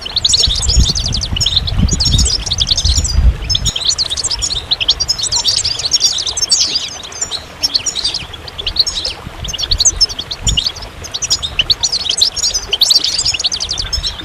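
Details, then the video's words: Long, lively goldfinch song made of repeated bursts of high, tinkling twitters separated by tiny gaps, with low rumble early on. "Magical Goldfinch Songs"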